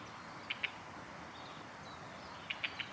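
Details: A male Red-flanked bluetail on the Hyuga forest road, 20 December 2020, gives short, dry tick notes: a pair, then a quick group of three, over a steady rushing background hiss.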